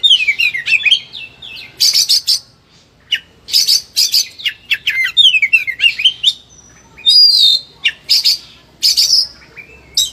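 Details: Highly agitated Oriental magpie-robin singing a rich, varied repertoire used to train or lure lazy birds: descending whistled runs, harsh buzzy bursts and sharp high notes, delivered in quick phrases with brief pauses.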